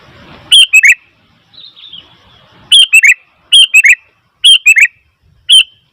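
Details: Noisy Sooty-headed bulbul repeating a loud, bubbly phrase of three quick notes roughly once a second, five phrases in all, with a soft chirp between the first two and low background rumble early on.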